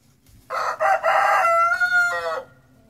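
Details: A chicken in a garden on a fine spring day, scratching the ground, gives a full crow: several harsh, buzzy opening syllables, then a long steady drawn-out note and a falling final syllable, lasting about two seconds.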